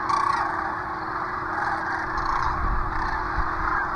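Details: Sandhill cranes flying in at a murky sunset on March 30, 2023, returning to the Platte River near Gibbon, Nebraska; a dense chorus of many rolling, honking crane calls blends into a steady wash, with low rumbling noise beneath.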